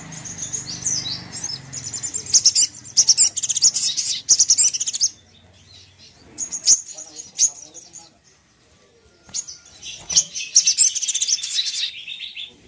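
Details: Sogok ontong singing a song intended to make a sogon angry: shrill, quick chattering trills in three main bursts, broken by short silences and soft low background rumble.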